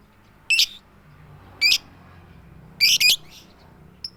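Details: Female lovebird calling to the male with a loud "tik tik keyok" call, without the chattering ngekek; three sharp high harsh bursts roughly a second apart, the last doubled, in a quiet room.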